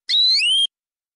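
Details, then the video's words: Local canary of wild forest stock, tutor song with rich phrasing: a single clear whistle lasting about half a second, rising slightly at the end, with no background sound. "Suara Burung Kenari Lokal Full Isian Durasi Panjang"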